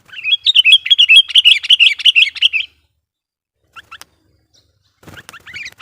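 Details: Sooty-headed bulbul kept as a lure to excite wild bulbuls: a rapid rolling run of bubbly warbled notes for nearly three seconds, then silence and a few scattered calls with a soft knock.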